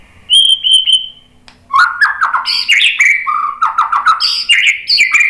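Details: White-rumped shama singing to provoke other birds to answer: three clear high whistled notes, then a fast jumble of falling slurs, chips and buzzy notes delivered in rapid succession.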